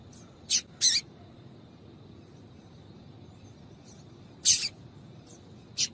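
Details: Female double-collared seedeater calling, used to stir males into singing; four short, sharp, high chips, a quick pair in the first second, then silence, then two more about four and five seconds later, over faint steady hiss.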